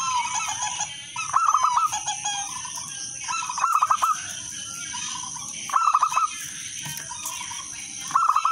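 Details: Actively singing local zebra dove, meant as a lure to set other doves singing. Five fast, rolling, bubbly coo phrases spaced roughly every two seconds, with softer cooing between them and constant high hiss.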